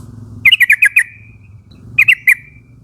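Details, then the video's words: Young wild Yellow-vented bulbul from a forest flock, calling companions to join in: a run of five quick, sharp chirps ending in a trailing note, then a shorter run of three, over a low steady hum. "pancingan suara burung trucukan nguplik gacor memanggil kawan ombyokan muda hutan agar ikut bunyi"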